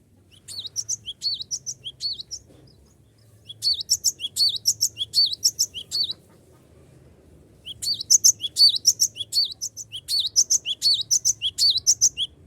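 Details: Cinereous tit in full song, calling rivals to join in, recorded for use as a lure: three bursts of rapid, high, sharp chirps, each note a quick whistled up-and-down flick, repeated about four per second, with brief pauses between bursts.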